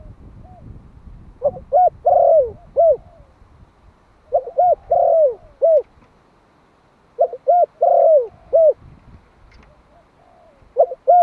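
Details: Malai-type spotted dove from Vietnam, a one-year-old young male decoy bird, calling to provoke wild doves. Three bursts of mellow cooing phrases, each of short hooted notes and one longer drawn-out coo, separated by pauses.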